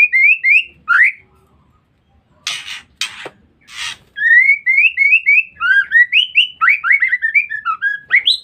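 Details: A female white-rumped shama calls to lure males. A few rising whistles give way to three rough rasping bursts, then a long rapid series of upslurred whistled notes grows more varied and jumbled.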